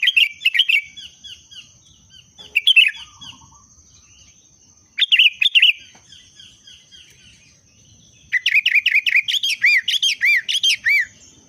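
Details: Kutilang in breeding condition, the sooty-headed bulbul, with 'pendongkrak' song: chattering bubbly phrases with trailing descending notes, repeated several times, then a long rapid stream of liquid warbled whistles, over a constant thin high whine.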